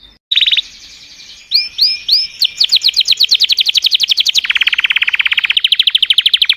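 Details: Canary delivering a continuous song of rapid trills, with repeated looping notes mid-phrase and a long, even, fast rattle toward the end.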